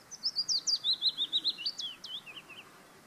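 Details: Singing willow warbler in Auld Haa Garden, Fair Isle: a quick run of high, clear, slurred notes that starts bright, then trickles down the scale and softens into a few lower, weaker notes.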